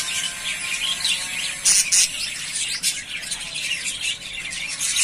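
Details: Three pairs of yellowface spangle budgerigars ready to breed chatter rapidly in high twittering notes, about four per second. A loud burst sounds near the middle.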